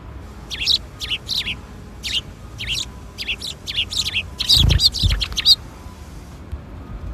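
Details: Sparrows gather at a Tenmangu shrine to be fed, 13 April 2021, afternoon; sharp chirps repeat about every half second, building into a dense flurry of cheeps, with a brief low thump partway through.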